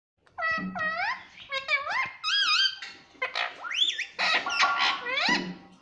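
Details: Talking Indian ringneck parakeet indoors, mimicking the word "mummy": a run of loud, harmonic, gliding vocal notes, some rising and some falling, in quick bursts with short gaps over about six seconds.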